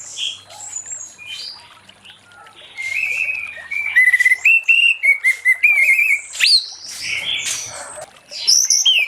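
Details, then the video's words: Late-afternoon 'ngeplong' song of an orange-headed thrush, used to prompt other thrushes to sing: a rapid series of short, clipped whistled notes and trills, with sharp upslurred squeaks, at a quick, uneven pace. "Anis Merah Ngeplong Sore Hari💥Pancing Anis Merah lain Cepat Bunyi"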